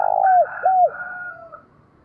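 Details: Decoy spotted dove cooing to provoke wild doves into answering quickly. Two low, mellow downslurred coos come in quick succession, followed by a fainter, drawn-out higher tone that fades away.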